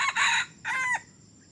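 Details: Young male red junglefowl that began crowing only three weeks ago, taken out as a decoy for luring wild junglefowl. Two loud, harsh, harmonic bursts are heard, the second tailing downward at its end, over a faint steady insect hum.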